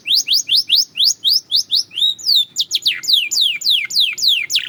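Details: Belgian canary song for training: a series of rising whistled notes repeated about four per second, then a long swooping slur and slower descending notes.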